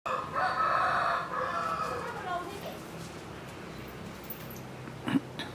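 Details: A chicken gives one loud drawn-out crow lasting about two seconds, harsh and harmonic, sliding downward at the end, then a quiet stretch with a few faint clicks.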